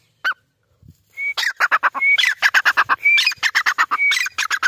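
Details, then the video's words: Grey francolin, known locally as Irani teetar, calling: loud series of harsh broadband notes in rapid bursts, with clear rising whistles near the start of phrases, repeated almost three times a second. "Irani Teetar Ki Awaz | Irani Teetar Voice"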